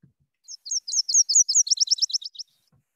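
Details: A Nashville warbler, a migrant to the Seattle area, sings its two-part song: a few slower sweet notes ("cheaper cheaper"), then a quicker, lower run of about seven chipping notes like a fast trill.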